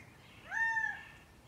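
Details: A single drawn-out, arched, nasal call from a Gambel's quail in Scottsdale, Arizona, rising then falling, over quiet background hiss.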